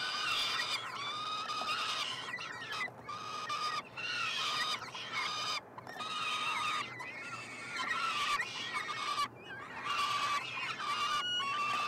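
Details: Peregrine falcon triplets begging while fed in a university nestbox in Montreal, Canada, June 2022; a near-continuous run of about ten strained, buzzy screams, some rising and falling, separated by short pauses.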